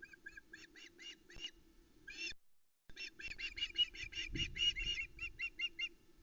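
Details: Osprey juveniles on the Loch Arkaig nest in August 2020, calling for fish from their father, nest-cam recording: evenly spaced piping notes, then after a brief gap a denser, louder string of shrill repeated screams with some low rumble.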